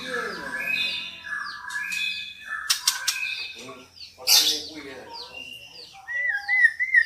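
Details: Calls of a female white-rumped shama used to excite a male to sing: scattered thin whistles and downslurred notes, sharp harsh rattles, and a final rising wavering whistle.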